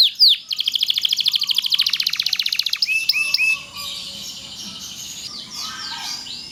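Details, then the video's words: Canary, a long-duration 'loper' song meant to tutor other canaries, opens with a few sweeping notes, then fast high trills repeated in tight rhythm, shifting into varied whistled phrases and a softer buzzy ending. "kenari loper gacor panjang durasi panjang sangat ampuh buat masteran segala jenis burung kenari"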